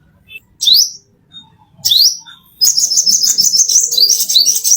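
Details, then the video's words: Plain-throated sunbird used to train caged birds: two separate sharp rising upslurs, then a sustained fast, high, jingling twitter. "masteran konin isian mewah"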